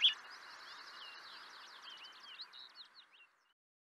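A Grey-cheeked thrush gives a thin, high, wheezy song of quick slurred notes that fades out over about three seconds, with a soft hiss behind it.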